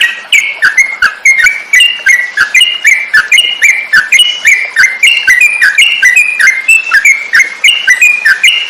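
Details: Yellow-vented bulbul recording for training songbirds (masteran): clear whistled notes, short and slurred, some rising and some dropping, repeated in quick varied phrases over sharp clicking ticks.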